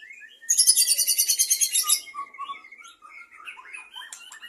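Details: A captive breeding white-rumped shama with many offspring gives a loud dense burst of very high, rapidly repeated chatter, then a series of mellow fluting whistles and short twittering phrases.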